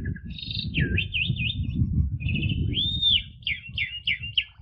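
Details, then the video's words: Asian pied starling training song: wavering trilled whistles, a clear rising-and-falling slur, then short repeated warbled notes, over steady low rumbling noise. "JALAK SUREN KUALITAS TERJAMIN!!! PANCINGLAH JUNIOR ANDA PAKAI MASTERAN INI"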